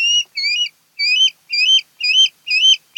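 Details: Osprey on a Kent Island, Maryland nest watched by a conservancy cam: rapid, insistent whistled chirps repeated about twice a second, each rising then flattening, in a steady urgent series.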